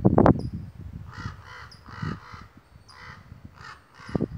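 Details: Two loud, talkative crows in misty redwood trees in the mountains, raising a commotion most likely because a hawk sat nearby; harsh, nasal caws repeated about six times in quick bursts over low wind rumble and a few knocks.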